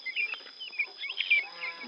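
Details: Helmeted guineafowl chicks, newly hatched: high thin chirps and short peeps in quick irregular bursts, with a steady high tone and faint music underneath.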